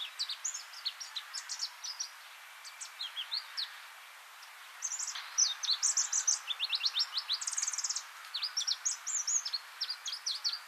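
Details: Pallas's leaf warbler, a scarce passage migrant, on Hegura Island, Japan, giving thin, very high chirps and quick rising notes, scattered then in dense bursts, over a soft background hiss.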